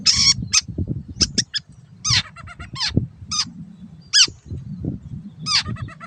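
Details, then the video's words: Long-tailed shrike master recording for caged-bird training: scattered sharp, downslurred squeaky notes and short chattering series, spaced by pauses, over steady low background noise. "MASTERAN BURUNG CENDET SANGAT COCOK BUAT CENDET MACET BUNYI ATAU PINDAH JURAGAN"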